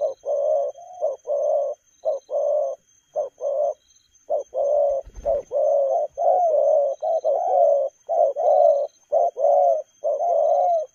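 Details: Spotted dove delivering fast 'lèo gù' coos, a long unbroken run of short-then-long coo pairs in quick succession, loud and close, with a brief low thump midway.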